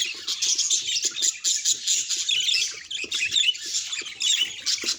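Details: Budgerigar vocalizing, its calls presented as signs of emotion: busy high warbling chatter in rapid pulses, swelling and fading every second or so without pause.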